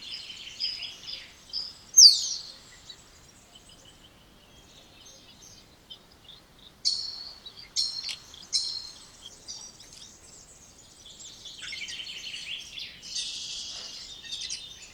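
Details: Song of the spotless starling, Sturnus unicolor: a varied medley of high whistles, a loud downslurred squeal, clicking bursts and long rasping buzzy phrases with quiet gaps between.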